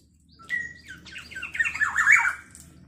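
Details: Black-naped oriole in full voice, with a sound said to agitate other orioles: a short clear whistled note, then a run of buzzy, grating, down-slurred squawks building louder over about two seconds.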